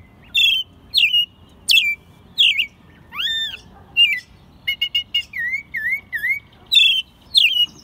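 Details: Captive American robin, hand-raised from a chick, singing in spring in Mexico City, recorded March 2020 in its second singing year; clear whistled phrases, some rising and some falling, delivered in short bursts with brief pauses.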